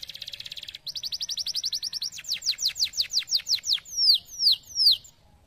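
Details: Canary song made of distinct tours: a buzzy rapid trill, a fast even series of short notes, then steep downward sweeps, and finally slower, drawn-out falling whistles.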